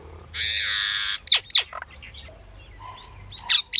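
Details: Pied myna with a long harsh, grating squawk followed by sharp downslurred chips and a few short scratchy notes after a pause.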